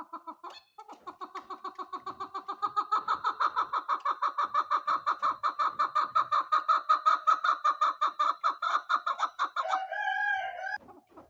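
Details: A female chukar partridge gives a long run of rapid, harsh clucking notes, about three per second, swelling to a loud chattering rally before a final squawk.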